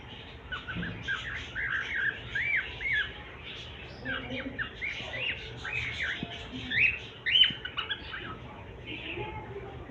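A cockatiel gives a rapid run of short, arched, whistled chirps and squawks, almost two per second.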